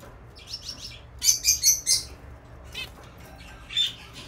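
Zebra finch giving short, nasal, buzzy beeps, several in quick bunches with a louder burst in the middle, over a faint background hiss.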